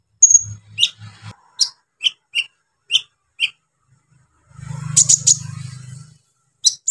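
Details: Brown-throated sunbird song meant to provoke rival sunbirds: a thin whistle, then separate high chirps at steady intervals, broken by a low humming rumble before a final chirp.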